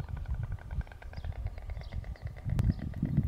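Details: White stork pair bill-clattering to bond after arriving at their nest on a late medieval castle in Extremadura, where they also mate: a rapid, hollow wooden rattle of dense clicks for about three seconds, swelling louder, with faint bird notes behind.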